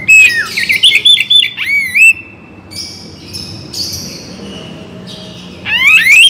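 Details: Oriental magpie-robin (kacer bagong) song for morning and evening: a fast run of bright whistles and chirps, then softer scattered notes, ending with steep rising whistled sweeps.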